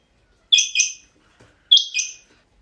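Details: A pet rain quail gives two sharp, harsh double notes about a second apart, each a quick high pair like 'whit-whit'. Otherwise quiet.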